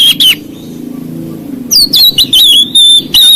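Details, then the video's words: Oriental magpie-robin giving a song that provokes other magpie-robins: two quick loud notes, a low hum, then a dense run of sharp, high, stuttering whistles. "KICAUAN KACER MEMICU EMOSI KACER LAIN"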